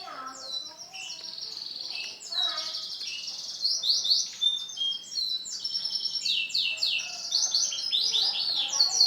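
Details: White male canary singing a long, rapid song of bright high trills and rolling chirps, with phrases changing pitch every second or so and a few whistled notes running underneath.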